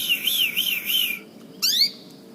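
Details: Canary giving a strange sound: a wavering, warbling high whistle lasting about a second, then a brief pause and a quick sweeping upward chirp.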